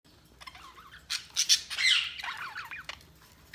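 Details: Budgies chirping: harsh, scratchy squawks and quick warbled chirps that build into a loud, rasping burst around the middle, then trail off into softer twitters and a final sharp note.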